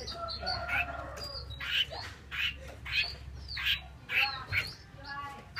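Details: Female Chinese hwamei giving repeated harsh, squawking notes, roughly one every second or so at an uneven rhythm, some with buzzy overtones, over a low steady hum.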